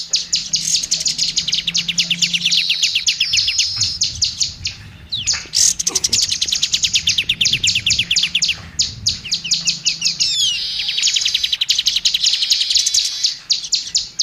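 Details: Training song of the oriental magpie-robin (kacer): continuous, high, chattering and scratchy notes in rapid repeated runs, with brief whistled slurs and short breaks, over a faint low hum.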